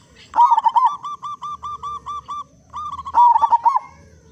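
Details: Loud local zebra dove, used as a lure so other zebra doves sing sooner: a bubbly stuttered cooing burst, then about eight evenly spaced soft hooting notes, then another rapid rolling burst.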